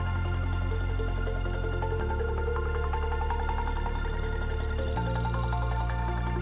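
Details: Ambient electronic music with sustained bass tones and shimmering melodic notes throughout.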